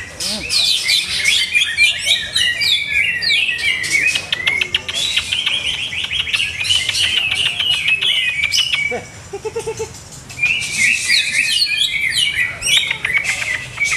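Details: Greater green leafbird in a cage, keeper still testing its setup, sings long bursts of rapid high chatter and whistled slurs, breaks off briefly with a few low soft notes, then resumes the dense song.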